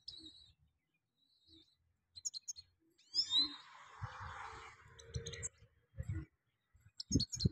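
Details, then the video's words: Goldfinch singing in a full bower rolling style: scattered high, sharp chirps and short twittering bursts separated by brief silences, with a louder cluster of downslurred notes near the middle and low rumbling noise underneath. "gold finch full bower rolling sounds"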